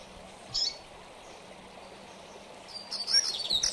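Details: Double-collared seedeater in mateiro song style: one brief, high buzzy note, a long pause with only soft hiss, then a fast burst of very high, twittering notes at the end.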